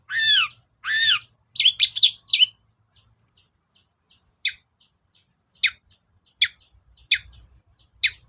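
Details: Long-tailed shrike, lure song meant to provoke reluctant shrikes into singing: two loud arched whistled notes, a burst of harsh chattering, then sharp scattered ticks about every second in a quiet background.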